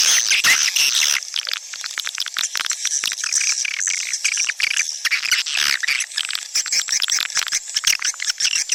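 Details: Swiftlet sound for luring birds to nesting houses: a constant chorus of rapid, high, clicking chirps and twitters, many overlapping, at a steady busy pace.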